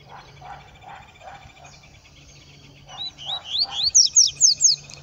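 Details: Wild yellow-bellied seedeater in scrub, giving a burst of thin, high, upslurred whistles that run together into a fast bright trill, after soft repeated lower chirps and a faint steady background hum.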